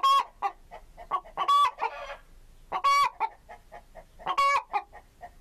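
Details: Chicken (Gallus gallus) calling with four harsh, harmonic squawks mixed with frequent soft clucks and one raspy, noisy note.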